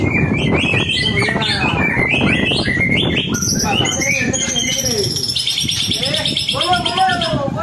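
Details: White-rumped shama song used as a lure to get other birds singing: fast, varied whistles and chattering phrases, some sweeping up to high pitches, with a low rumble of background noise underneath.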